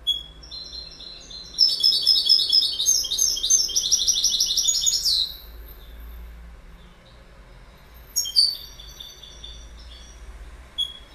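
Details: A goldfinch pours out a loud, tightly packed run of bright twittering and buzzy trilled notes for several seconds, falls silent, then adds a short second burst and a lone final chirp.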